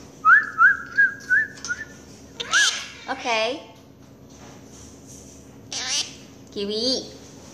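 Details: A pet monk parakeet (Quaker parakeet) gives five quick rising whistles, then several harsh, voice-like phrases imitating human speech such as "mommy", in a quiet room.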